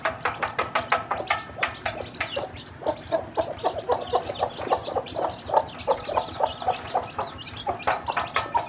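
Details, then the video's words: A mother hen teaching her many newly hatched chicks to eat clucks steadily and rapidly, short pulses repeated nearly twice a second for the whole stretch. Chicks peep faintly above. "A Hen Hatched Many Chicks From Eggs And Teach Baby Chicks To Eat"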